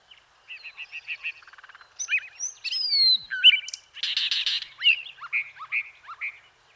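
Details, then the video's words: A blue mockingbird sings a varied, high-pitched run of chirps, quick trills, whistled slurs and a buzzy burst, changing phrase every second or so. "Le chant du moqueur bleu est composé de longs sifflements clairs et résonnants avec une qualité souvent flûtée."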